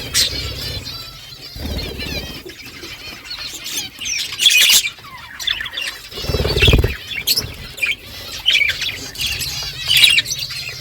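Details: Morning budgerigar flock talking to each other: soft, varied warbling chatter and squawks, fairly quiet, punctuated by a few louder bursts and low rustling thumps.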